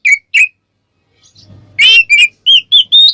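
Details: Ngeplong song of an Oriental magpie-robin used as a lure: two short whistles, a pause with faint rumble, then a harsh burst followed by clear rising whistled notes.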